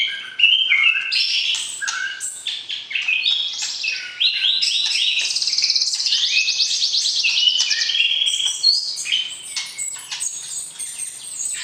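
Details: Pairing a white-rumped shama (murai batu) for the breeding cage, the bird sings to arouse the opposite sex; long varied outpouring of whistles, trills and rapid buzzy rattles, high-pitched and nearly unbroken.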